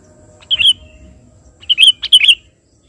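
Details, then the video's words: An actively singing sooty-headed bulbul calls out to a rival. A single bright warbled phrase is followed a second later by a longer run of rapid, fluty, bubbling notes. "suara burung KUTILANG GACOR memanggil lawan"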